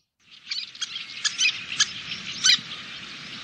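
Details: Little terns at a nesting colony in Kobe on June 26, 2016, where more than ten birds had returned and fledglings nearly adult-sized were flying from the nest site. Short, sharp, high calls about six times in three seconds over a steady airy hiss.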